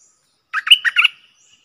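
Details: A wild bulbul, staying clear of a cage and probably tending chicks in its nest, sings one brief rapid phrase of four or five liquid, warbling notes that end in a fading whistle, with nothing else audible.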